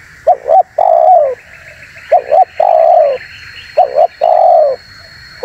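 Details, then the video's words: Spotted dove coo meant to attract wild doves and provoke other doves. A clipped double note leads into a long, smooth coo that drops at the close. The phrase repeats about every one and a half seconds, with faint hiss behind. "SUARA BURUNG TEKUKUR UNTUK PIKAT DAN PANCINGAN"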